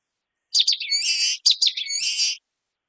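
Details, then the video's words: Common waxbill singing two similar phrases in quick succession, each made of a few sharp chipping notes leading into a harsh, nasal, buzzy trailing note; no other sounds. "Canto de Bico de Lacre"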